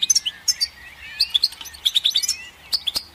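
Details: Goldfinch twittering in quick groups of sharp, bright chirps with a few thin rising slurs between them, clean and close.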